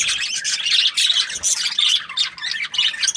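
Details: Happy budgies give bursts of chattering chirps with clear whistled squeaks mixed in, loud and uneven, pausing briefly between phrases.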